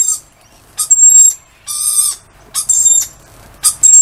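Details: Lorikeet greeting a person outdoors with loud, raspy, broadband screeches, each lasting about half a second, repeated roughly once a second in a harsh grating series.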